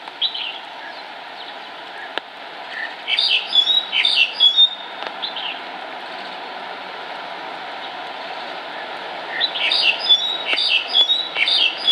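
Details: Black-collared starling fledgling on a cycling track begging its mother for food as she flies around nearby trees; harsh squawking bursts in two clusters, around three to five seconds and again near ten to twelve seconds, over steady road-like hum.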